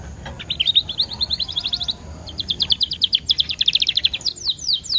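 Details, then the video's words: Canary lure song meant to get other canaries singing: fast chattering trills of short high notes, broken by a brief pause, then resuming as a denser rattling run ending in sharp downslurred chips. "PANCINGAN KENARI TERBAIK DENGAN JEDA 10 DETIK LEBIH EFEKTIF"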